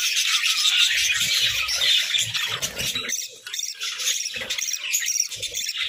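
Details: Pet budgerigars chatter with high, squeaky warbles, dense at first and then breaking into shorter bursts of chirps, with soft low knocks beneath.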